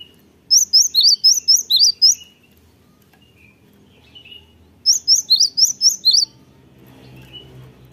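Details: Lure song of a cinereous tit for drawing replies from other birds: two separate bursts of about seven high, sharp alternating chirps each, separated by a quiet gap of nearly three seconds.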